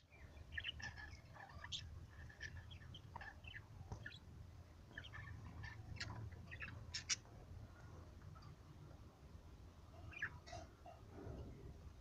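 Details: Yellow and blue budgerigars chirp and chatter in quick, scratchy bursts over a steady low hum.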